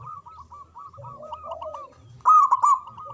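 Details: Local zebra dove singing: chains of rolling coo notes over a lower, softer coo, then a loud, emphatic burst of notes after two seconds.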